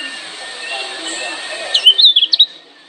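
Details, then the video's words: A Lombok lemon-bellied white-eye (kecial kuning) gives a challenge call: after a stretch of steady hiss, a quick burst of about six high, thin chirps over half a second. "Kecial Kuning NANTANG Ampuh Yg Denger Wajib NYAUT"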